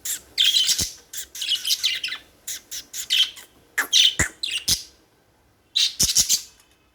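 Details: Budgerigar chirping: short, scratchy, high chirps and warbles come in quick clusters with brief pauses between bursts, in an otherwise quiet setting.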